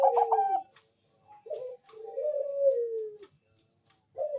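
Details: Zebra dove of the Bangkok type, kept bird, lure song for other doves: a brief stuttered trill then a short note and a long soft descending coo, with clicks and rustles in the background.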